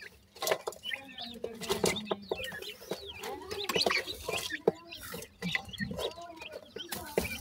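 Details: Several grey francolin chicks, known locally as bhura teetar, keep up a busy stream of high, bending peeps mixed with frequent clicking and tapping noises.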